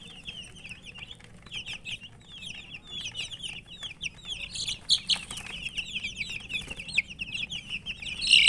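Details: Many colourful chicken chicks peep together: high, short, downslurred cheeps repeated rapidly, growing denser and louder toward the end.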